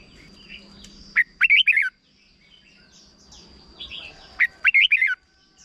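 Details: Short doubled song from a caged red-whiskered bulbul in Thailand, meant to teach young birds. Two phrases of quick, rolling whistled notes come roughly three seconds apart, over a thin steady high tone and faint distant birds.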